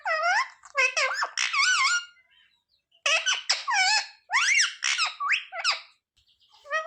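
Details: Pet talking parrot trained to say "mummy papa" chatters in dense clusters of warbling, nasal, speech-like syllables, two bursts separated by a second-long pause.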